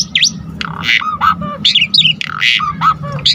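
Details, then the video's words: Asian pied starling singing constantly with a full repertoire, meant to spur other starlings to sing: a rapid jumble of harsh raspy bursts, dipping mid-pitched whistles and sharp high squeaks with no pauses. "Pancingan Jalak Suren GACOR Full Isian Bikin Tambah Emosi Burung Jalak Agar Lain Tambah Gacor Full"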